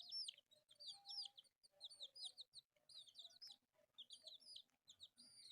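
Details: Pet chicks, four colourful ones, playing and peeping in bursts of shrill arched chirps about once a second, overlapping voices with brief pauses and a faint mid-pitched tone.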